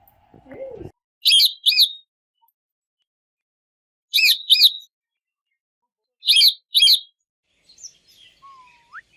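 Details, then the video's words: Talking ringneck parrots, pets said to speak Urdu and Hindi; paired shrill screeches repeat about every two and a half seconds after a brief low thump, with a faint thin whistle near the end. "Amazing Talking Parrots Family"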